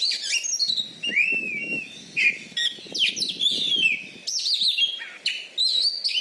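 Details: Loud champion Oriental magpie-robin kept in Bengkulu, Indonesia, famous for a fighting style that overwhelms opponents; continuous varied whistling with swooping slurs, chips and high trills.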